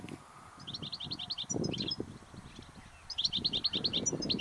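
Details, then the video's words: European goldfinch song from a flock of about 60 in reeds at a field edge with willows, old fruit trees and thistles: two bursts of quick, tinkling, high twitters, each about a second, over low wind rumble. "Stieglitz - Gesang"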